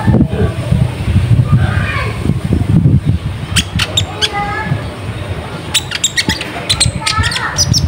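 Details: Purple-throated sunbird, a lively lure recording meant to draw wild birds in. After a noisy start, sharp high clicks and thin chirps come in quick bursts over a constant low rumble.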